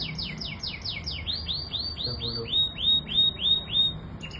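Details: Canary song built from clear, evenly spaced notes: first steep downward slurs, then rising-and-falling looped whistles about three per second, with a soft low hum beneath.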